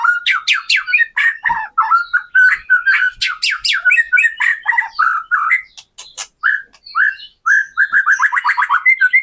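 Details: White-rumped shama song used to rouse captive birds: a dense, varied stream of squawky, whistled and chattering notes, mid to high pitch, ending in a fast rising trill.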